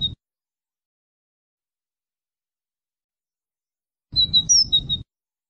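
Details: European goldfinch giving a short burst of about five bright, high tweets with a low rumble beneath.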